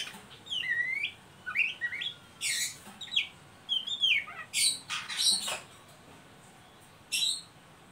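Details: Oriental magpie-robin ngeriwik call, used to lure and stimulate young birds to sing: quick high whistled slurs and sharp chattering notes in short bursts, rising and falling, with pauses between phrases.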